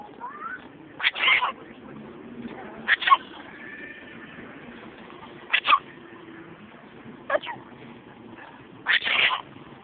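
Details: Pet parrot sneezing; several short, sharp broadband bursts spaced a few seconds apart, some doubled, over a low background murmur with a faint whistled note early on.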